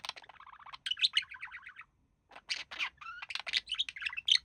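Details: Male budgerigar kept as a pet with its mate, described as mimicking human speech; loud rapid chattering warble of scratchy and whistled syllables, a short pause midway, then renewed chatter with a brief rising whistle.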